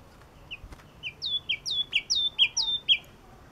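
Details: Yellow-cheeked tit giving sharp, clear phrases. A high note slides down into a sustained lower whistle, and the phrase repeats about seven times in close, slightly uneven rhythm against a quiet background.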